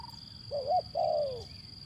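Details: Zebra dove lure phrase for doves that won't sing: a short stuttering coo climbing to a held note, then a long smooth note sliding downward, with a faint steady high tone and soft low noise behind.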